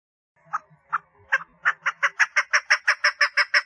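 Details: Calling for mating, a female chukar partridge starts with slow, spaced clucks that speed up into a regular, rapid run of loud chuck notes.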